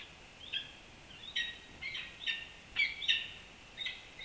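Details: Peregrine falcons nesting atop the historic Campanile at UC Berkeley: a series of sharp, slightly harsh call notes, some doubled, repeated irregularly every half second to second against steady wind-like background noise.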